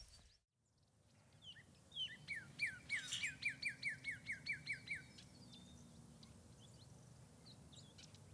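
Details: Cardinal singing outdoors, captured with a condenser microphone whose cord runs through a window: a rapid run of about a dozen clear, downslurred whistles, evenly spaced, then fading to a quiet background hiss.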